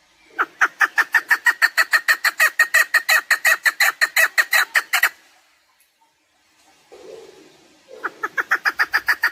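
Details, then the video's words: Chukar partridge calls recorded for hunting use: a fast series of harsh, clucking chuk notes, about three per second, running for five seconds, then a pause and a fresh burst of the same repeated clucks. "Овози кабк кеклик калик пение каклик мастак модкабк шикор"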